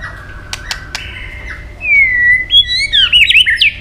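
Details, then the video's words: White-rumped shama singing in a long wild-style competition song: a few clicks and a flat whistle, then a loud smooth whistled slide followed by fast, twisting high warbled notes. "chòe lửa đập đuôi nhấp cầu hót đấu giọng rừng dài"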